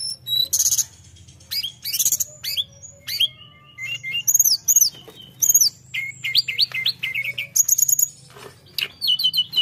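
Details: Tledekan in full lively song, used to stir up rival birds. Bursts of very high buzzy notes alternate with quick whistled trills and falling slurs, then rapid rolling warbles; phrases separated by short gaps, low background hum.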